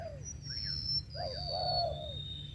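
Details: A spotted dove's long wavering coo follows a falling note, while a loud, thin, high whistle-like tone slides slowly downward across the recording over low rumble.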